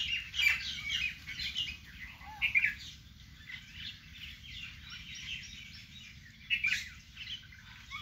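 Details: Birdsong in a vegetable garden, a busy chorus of high, rapid chirps and tweets, with brighter sharp notes standing out near the start and again toward the end.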